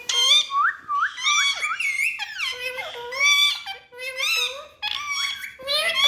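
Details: Talking parrots give a run of rich, harmonic squeaky and whining notes, rising and falling in quick succession, some upslurred chirps repeated several times, indoors.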